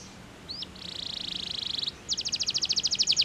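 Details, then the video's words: Canary singing to stimulate rival singers: a brief rising slur, then a long rapid buzzy trill, a pause, and a louder series of fast repeated high notes. "POWERFUL, CANARY SINGING STIMULATES THE SOUNDS OF OPPONENTS"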